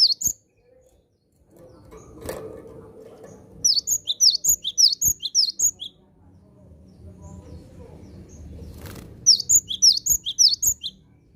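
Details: Cinereous tit (gelatik batu), a very vocal bird, calling out to wild ones: two bursts of quick, piercing high chirps in doubled notes, separated by a quiet stretch with a soft low hum and faint background noise.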